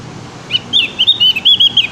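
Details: Javan grey-throated white-eye practising its song: a quick run of high, bright chirps and short whistled notes, uneven in spacing and getting denser toward the end.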